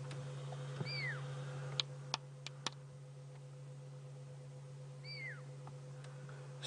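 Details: Fork-tailed drongo imitating the high-pitched whistle of a pearl-spotted owlet, said to chase other birds from the area, on an evening safari drive; two short falling whistles about four seconds apart over a steady engine hum and a few clicks.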